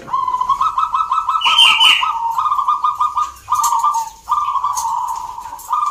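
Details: Zebra doves at a local singing competition in Salatiga, Central Java, with birds entered from many towns; several overlapping trilled cooing phrases run almost continuously at a steady mid pitch, with a brief higher chirpy burst from another bird.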